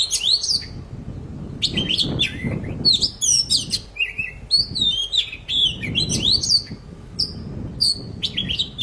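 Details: Energetic poci song meant to coax a bird that has stopped singing back into voice: bursts of high slurred whistles, rising and falling notes and quick chirps, broken by short pauses, over low background noise.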